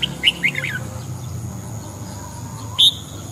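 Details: Red-whiskered bulbul morning song, used for voice training: a quick burst of bright, warbling notes sliding down from high to mid pitch, then a lone sharp high note after a pause, over steady low background hum.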